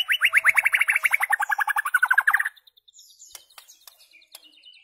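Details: White-rumped shama song, used for training goldfinches and their hybrids in very rare notes: a fast string of clear, rising whistled notes forming a rolling trill, fading into faint high twitters.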